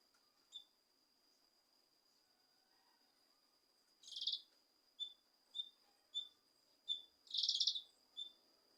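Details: Cucak kinoi leafbird song used to stir a lazy bird into singing: short high whistled notes repeated roughly every half second, broken by two harsh buzzy trills of about a second each, over a constant faint high tone.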